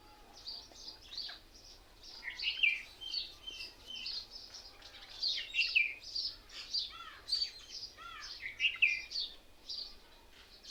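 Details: Mynas in a crowd in one tree, said to mimic other birds and seem to laugh at each other: dense, loud chatter of whistles, squeaks and rising notes in repeated bursts, with low background rumble.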